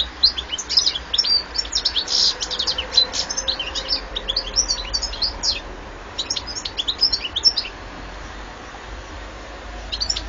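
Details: European goldfinch singing a rapid, tinkling twitter of high, sharp notes, dense for the first six seconds, then sparser phrases after a short lull, with faint low background hum.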